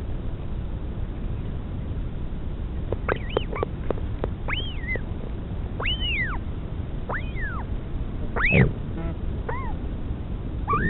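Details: Northern royal albatross mother feeding her chick at a nest in the Pukekura/Taiaroa Head colony near Dunedin, New Zealand, 2016, on a live nest camera: scattered high, arched whistled squeals that rise then fall, over steady low wind rumble.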